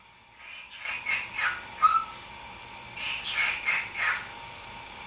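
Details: Male pet cockatiel mimicking human speech, saying "Deejee is een boef!" in two hoarse, breathy phrases with one brief clear whistle between them, against a quiet indoor hum.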